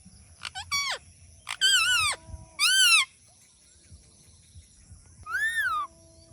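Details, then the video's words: A talking parrot gives four loud, harsh, voice-like utterances, some with a wavering, speech-like rise and fall, spaced unevenly over about five seconds. "Talking Parrot"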